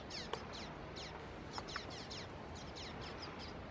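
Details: Juvenile common waxbills (Estrilda astrild) at Canidelo, Vila do Conde, Portugal, on 30 November 2016 give quick, high, thin downslurred chirps, several overlapping in busy chatter, with sharp clicks over soft hiss.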